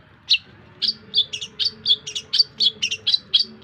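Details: Long-tailed shrike song for teaching songbirds: a lively run of sharp chirps and doubled notes at an uneven pace, over soft low humming.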